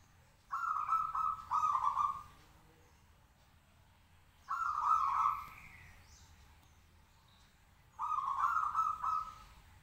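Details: Zebra dove, a local bird kept in a cage, singing to provoke replies; three bursts of rapid rolling coos about three and a half seconds apart, with faint bird chirps between.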